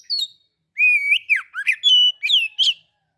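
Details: Oriental magpie-robin (kacer) singing in the loud, clear ngeplong style, used as a lure to stir other magpie-robins: a short high note, then a long level whistle and a run of rising and falling slurred whistles over three seconds, no background noise.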